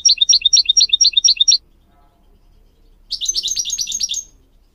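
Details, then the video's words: Training song of a goldfinch for young goldfinch mules and canary: a quick run of evenly spaced, high chirped notes, a pause, then a denser, buzzier twittering phrase. "Teaching goldfinch mules and canary to song"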